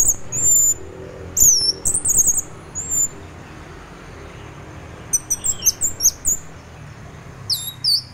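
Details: Orange-headed thrush in 'teler' song style, used as a morning lure to prompt other thrushes to sing; high, thin whistled and chattering phrases come in short bursts separated by pauses, with low background hum.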